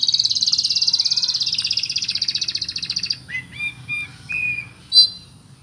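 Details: Oriental magpie-robin song packed with cricket imitations: a fast, buzzy, pulsing high trill lasting about three seconds, followed by a few short whistled notes and a sharp high chirp.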